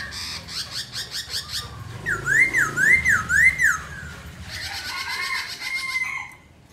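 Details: Black laughingthrush singing and dancing: harsh rhythmic notes, then three loud zigzag whistled phrases, then a chattering rattle with a thin whistle.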